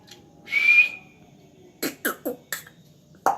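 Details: A pet African grey parrot, a talking mimic, gives a clear rising whistle, then four quick clipped word-like syllables and one more short note, all fairly high and crisp in a quiet room.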